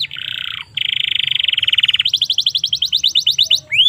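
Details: Domestic canary in full song for training young canaries: a loud buzzy trill, a long steady rapid rattle, then a series of rising-and-falling swept notes and a closing upward whistle.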